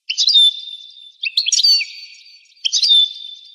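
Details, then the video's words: Goldfinch singing in a 1985 recording described as rare: three short bright phrases, each a quick twittering burst ending in a clear high whistled note, spaced just over a second apart. "تغريد طائر الحسون"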